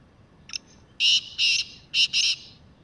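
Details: Free-living wild black francolin: one quiet clipped note, then a harsh, grating phrase of four strong rasping bursts in two pairs, background otherwise calm.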